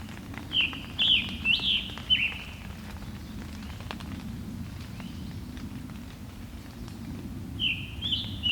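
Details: Scarlet Tanager song from an earlier, clearer encounter, described as sore-throated and robin-like: a quick run of four or five short burry phrases, a long pause, then two more phrases, over a steady low rumble of background noise.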